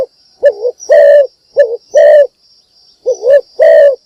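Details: Spotted dove decoy calling at morning to lure other birds. Three evenly spaced phrases, each a soft wavering double coo leading into a louder sustained rolling coo, with a faint thin high whine behind.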